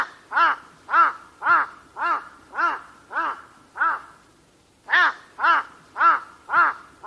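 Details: A carrion crow gives hoarse, rasping, noisy caws about twice a second, a run of seven, a brief pause, then five more.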